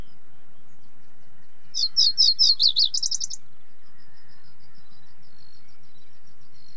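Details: Reed bunting (Emberiza schoeniclus) singing one brief, high-pitched phrase of several clipped chirps that run into a rapid, buzzy trill, followed by a faint series of soft ticking notes.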